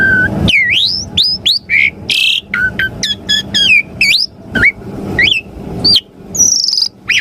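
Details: Asian pied starling song used to prompt caged birds to respond: a dense run of rising whistled slurs, sharp chips, buzzy notes and quick hooked phrases, delivered in rapid bursts with brief gaps.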